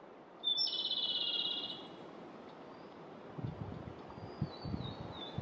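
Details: Japanese robin singing in spring 2022, perched with its back in view: a loud, rapidly trilled phrase of about a second, with a brief higher opening note, then fainter thin whistles and low rustling.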